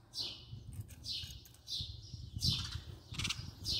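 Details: Close-up house sparrow chirping at intervals, mixed with fluttering, rustling sounds, possibly from wing movement.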